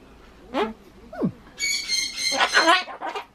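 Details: Pet Ducorps's cockatoo chattering indoors, repeating the same phrases while trying to say bye-bye; a short falling whistle is followed by a harsh, buzzy, strained stretch of mimicked speech.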